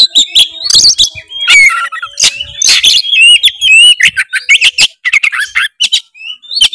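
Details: Oriental magpie-robin in dense, continuous song used to spur a lazy bird, with harsh squawky bursts, rising whistles and rapid chattering notes throughout.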